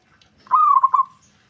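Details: Zebra dove (perkutut) that other doves respond to at once; a single short coo, a sustained opening note breaking into three or four rapid rolling pulses.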